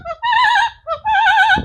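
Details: A captive double yellow-headed amazon (Amazona ochrocephala oratrix) sings opera, imitating its guardian's Queen of the Night aria: two long, wavering phrases, each a rising note leading into a sustained vibrato tone.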